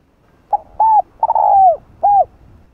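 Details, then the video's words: Coo phrase of a spotted dove in 'giọng đồng' style, played to rouse decoy birds when trapping wild doves. One clipped note leads into a rounded coo, a drawn-out trilled coo falling in pitch, and a closing rounded coo. "Chim cu gáy GIỌNG ĐỒNG kích bổi nhanh nổi/Tiếng cu đất gáy gọi giọng Đồng kích mồi tập bổi hiểu quả"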